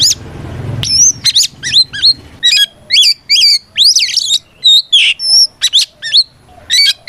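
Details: Loud fighting song of an Oriental magpie-robin calling out rivals; rapid sequence of sharp, high whistled notes, upslurs and short trills, closely spaced, after a noisy low hum at the start.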